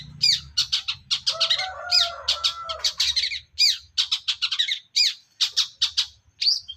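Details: Young forest-caught long-tailed shrike singing continuously in ngacor style: a dense stream of harsh, scratchy chattering notes with brief buzzy squawks, delivered in quick bursts with only short pauses.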